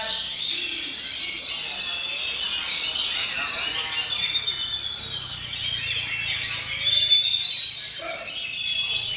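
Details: Caged oriental magpie-robins (kacer) competing at a singing contest in Puspa Agro, Sidoarjo, Indonesia: a constant high tangle of sweet whistles, trills and chattering notes from several birds, with people talking faintly in the background.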